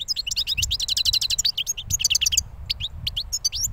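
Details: European goldfinch just out of its moult, a bird from the previous year, singing a fast run of high chirps and twitters, then sparser notes toward the end.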